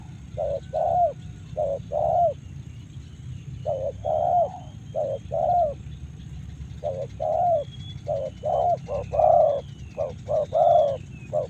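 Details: Repeated mellow cooing of a Karawang spotted dove, short and long notes in irregular clusters, accompanied by thin high whistles of other birds and a continuous low hum.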